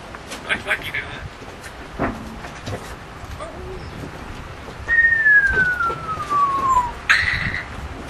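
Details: Eight-year-old female African grey parrot kept on a sailboat, entertaining charter guests; a long clear whistle glides smoothly downward, followed by a short harsh burst, with scattered clicks and background noise.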